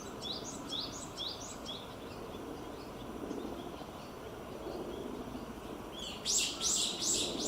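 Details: Narcissus flycatcher in 2018, singing during foraging: four clear rising whistled phrases in quick succession, a quiet pause, then a burst of loud, rough, high chattering notes near the end over faint low rumble.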